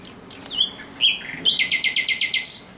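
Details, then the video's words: Thrush nightingale song after dark, 17 May 2023: soft whistled slurs give way to a quick, regular series of about ten loud buzzy pulses, ending on a high note. "Śpiew słowika rdzawego nocą."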